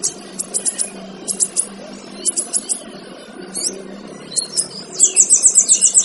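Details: High-pitched twittering from a male kinoy, used to teach other birds: short clusters of sharp chirps every second or so, ending in a rapid, even trill of bright notes.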